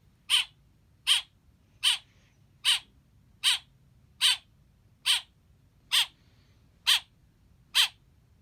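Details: Baby black bird chirping: a steady series of ten harsh, raspy, buzzy calls, one roughly every 0.8 seconds, each short and evenly loud, over a faint low background hum.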